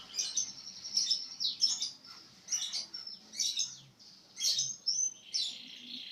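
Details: Songbird singing actively and loudly in bursts of high, shrill warbled phrases, each lasting under a second with brief gaps, ending in a longer sweeping whistle.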